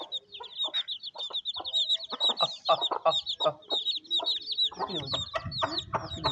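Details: Rainy village courtyard in Pakistan with a mother hen feeding her chicks: rapid, insistent chick peeping throughout, the hen's clucks coming in quick series, and a louder flurry of calls toward the end.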